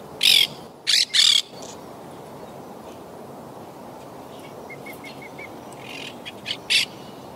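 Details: Wild Quaker parakeets of a yacht-club colony hit by Hurricane Irma in 2017. Three loud, harsh screeches open in quick succession, then quieter distant squawks and a short run of soft chirps, ending with another sharp call.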